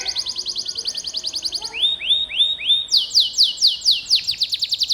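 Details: Canary in full gacor song, meant as a training song. A rapid high trill gives way to slower, separate, down-slurred notes at about three per second, then a quicker run of sweeping notes.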